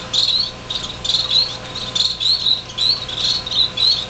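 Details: Young finches just out of the nest, six birds in a greenhouse, January 2007: loud high chirps in quick clusters, roughly every half second, with a steady low hum in the background.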